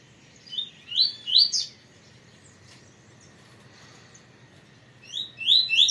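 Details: A captive double-collared seedeater gives short bright phrases of quick, high down-slurred whistled notes, then pauses several seconds before starting another burst.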